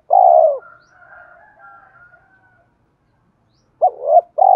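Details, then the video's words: Spotted dove coo for stimulating decoy birds: one long, low, falling purr, then quiet higher twittering from other birds, and after a pause a short bent note leading straight into the next coo. "tiếng cu gáy thúc kích bổi tập mồi hiệu quả"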